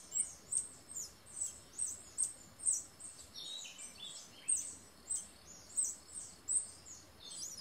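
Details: Male stripe-throated hermit singing in a lek with at least six other males to attract females: very high, thin, squeaky phrases repeated roughly every half-second to second over a soft background hiss.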